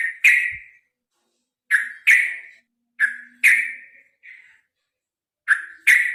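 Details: Sooty-headed bulbul, kept as a caged singer, in a long fighting song played to get other birds singing: short bright whistled notes near the upper midrange, often in close pairs, repeated in bursts with pauses.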